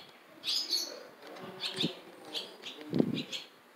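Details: Barn swallow nestlings in a nest in Jeongseon, Gangwon-do, South Korea, begging as a parent brings food: short bursts of high, scratchy chirps, several in under four seconds, with a soft flutter of wings near the end.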